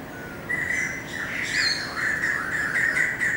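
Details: Greater racket-tailed drongo song, recorded 7 February 2018: a long run of loud, level whistled notes that waver and break into short slurred segments, with higher faint overtones and steady background noise.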